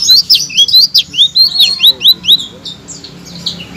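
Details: Blue-crowned laughingthrush song used to draw stalled songbirds into loud answering song. A rapid cascade of high, slurred chirps runs for about two seconds, then gives way to fainter, scattered notes.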